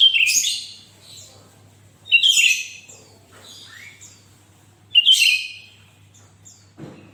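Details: Lively sooty-headed bulbul, whose song is played to get other bulbuls singing, gives loud bright chattering phrases of mixed whistles and harsh high chirps, repeated about every two to three seconds with softer twittering notes between.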